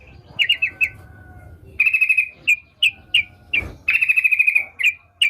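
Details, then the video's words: Energetic sooty-headed bulbul song: spaced, bright whistled notes alternating with brief rolling trills, each phrase sharp and loud against a quiet low hum. "Burung Trucukan Gacor"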